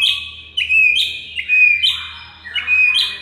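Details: White-rumped shama masteran recording used to get mute shamas singing: loud piercing whistles in short bursts roughly every half second, each stepping up or down, over a soft low rumble.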